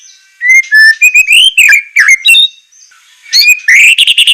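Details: Training recording of white-rumped shama song for captive birds, sharp and harsh in style: varied whistled phrases with upslurred and downslurred notes, a brief quiet gap, then rising whistles running into a fast buzzy trill.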